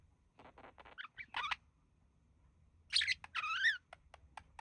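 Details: A male budgerigar, one of a relaxing couple, mimicking human speech: a few soft ticks, then short rising squeaky notes, a pause, and a longer wavering, voice-like warble that slides downward, followed by single clicks.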